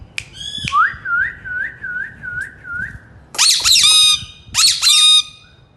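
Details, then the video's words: Rose-ringed parakeet, a talking bird, gives a short squawk, then a string of six soft wavering syllables in quick succession, followed by two loud harsh screeching bursts. "mithu mithu parrot voice"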